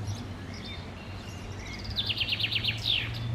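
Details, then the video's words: Summer 2016 in Park Sanssouci: a common chaffinch delivers its song, a quick, regular run of clear chipping notes that drops a little in pitch and closes with a buzzy terminal flourish. Distant bird calls and a low steady hum sit underneath. "Chaffinch singing /Buchfink singt"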